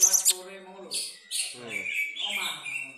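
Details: Long-tailed shrike performing a song filled with kapas tembak imitations: a mix of harsh, buzzy notes and quick high whistled chirps and trills, with a possible voice in the background.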